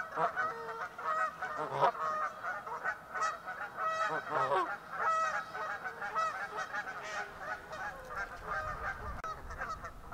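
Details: Canada geese on a pond near Virginia Tech, Blacksburg, Virginia, as winter ends: continuous overlapping honks, rough and nasal, from several birds calling in an irregular, excited stream.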